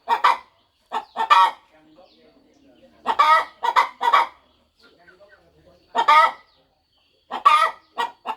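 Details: A broody mother hen on a farm nest, preparing to hatch her eggs, clucks steadily; short clusters of two or three gravelly clucks repeat about every three seconds, with soft murmuring in the gaps.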